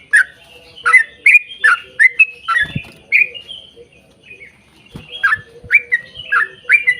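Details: Long 'ropel panjang' song of a yellow-vented bulbul, meant as a lure for other bulbuls: quick rippling chirps, a lull with a couple of low knocks, then the chortling returns.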